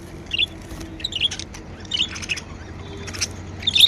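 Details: Happy pet budgerigars chirping, short bright chirps spaced about a second apart, some doubled, with faint ticking and a soft low hum underneath.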